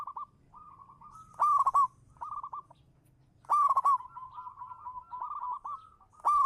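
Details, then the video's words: Local zebra dove, a champion singer recorded as a lure, cooing in steady mid-pitched phrases: soft stuttered coos lead into two loud, rapid bursts of clipped notes about two seconds apart, with a faint low hum beneath. "suara burung perkutut lokal manggung juara pancingan"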